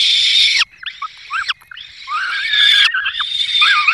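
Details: Peregrine falcons, Barycz Valley, 5 May 2022, male bringing a small bird while the female feeds the chicks; strident screeching bursts mixed with wavering, up-and-down whining notes, loud and continuous after a short pause.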